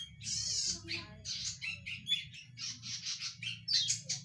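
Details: Zitting cisticola, noted for its loud voice: dense harsh chattering with buzzy squawks and short sharp notes repeated in quick succession, with a constant low background hum.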